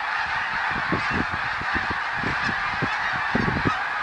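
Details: Snow geese in 2014: a large flock gives a dense, continuous clamor of overlapping nasal honks and yelps, with a few sharper calls standing out.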